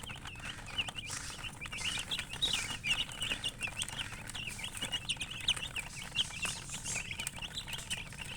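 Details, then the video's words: Chickens chirping: a dense chorus of short, high peeps that overlap continuously and rise and fall quickly. The calls come several per second for the whole stretch, over a low steady rumble of background noise. "silly chicken chirping sounds with murgi hen color chicken"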